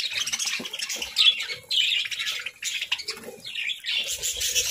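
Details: Pet parakeets at their morning feast, chirping and squawking in rough, buzzy high bursts almost without a break, with light knocking sounds underneath.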